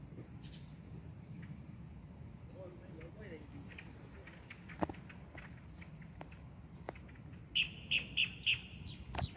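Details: A boat-tailed grackle calling on October 17, 2022, gives a quick run of five sharp, clipped notes near the end, over low background rumble and a few faint chirps.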